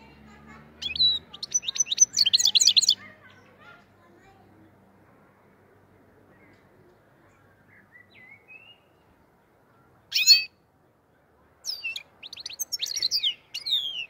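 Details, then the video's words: Black-headed goldfinch, Andijan, Kuva and Fergana song style. Short bursts of high twittering and chirps separated by long quiet gaps, with a faint low hum at the start. "АНДИЖОН КУВА ФЕРГАНА САЕРОКИ САВА"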